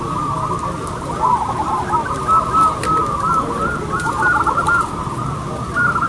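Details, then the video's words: Zebra doves singing in a local singing contest: several overlapping, bubbly cooing phrases of short, slightly rising notes at mid pitch, heard through constant crowd-like background noise. "LOMBA PERKUTUT LOKAL ISTIMEWA."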